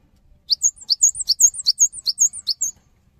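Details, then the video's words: Energetic song of a cinereous tit, used to urge other tits into singing, delivered as a brisk run of high piercing two-pitched notes, roughly fifteen in a little over two seconds, over a faint low rumble. "GELATIK BATU GACOR | Bikin Gelatik Lain Cepat Terangsang Untuk Ikutan Bunyi"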